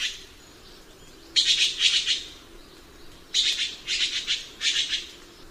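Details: Red-billed blue magpie uttering loud grating, rasping notes in two bouts, the second of three rough bursts, against a soft background hum.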